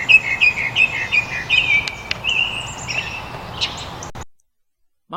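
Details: Northern Mockingbird in Virginia or the Carolinas sings a rapid, ever-changing string of bright chirps, whistles and sharp notes around mid-high pitch, some mimicking other birds, with faint background hiss.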